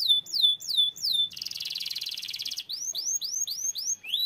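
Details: Canary singing clear high descending whistled notes repeated about three times a second, then a dense buzzy rattle-like trill, followed by a run of rising swept notes.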